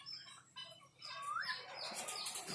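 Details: Pet hill myna imitating Islamic greetings and the word Allah, answering a person's spoken salam with a rising whistled, voice-like phrase that turns into a breathy, hissing utterance.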